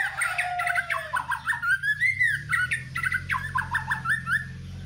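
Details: Caged white-rumped shama singing actively while set out in the morning dew: a steady run of clear whistled and warbled phrases, rising and falling, over a low background hum.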